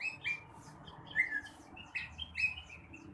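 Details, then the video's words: Blue-winged leafbird singing in the morning: a lively series of short whistled and chattering notes, varied in pitch and spaced irregularly, over a low background hum. "kicauan rengganis atau cucak wilis di pagi hari. cocok buat merangsang burung bahan"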